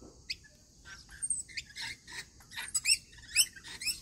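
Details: During a routine feeding, rainbow lorikeets chatter rapidly. Shrill, screechy chirps follow each other about twice a second, growing louder and more crowded toward the end.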